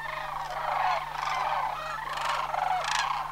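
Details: Distant-sounding chorus of sandhill cranes migrating from Homer in September: blurred rolling bugles merge into a steady wash, with a few louder rattling calls rising above it.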